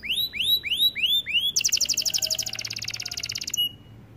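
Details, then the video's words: A white canary sings five loud rising swept whistles, then a fast rolling trill of crisp notes lasting two seconds, ending on a single short high note. "White Canary Bird Singing | Sound of nature | Canary song"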